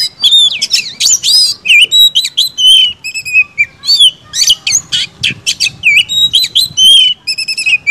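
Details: White-rumped shama in full song, quick high whistled slurs alternating with harsh buzzy trills, many short phrases packed closely together.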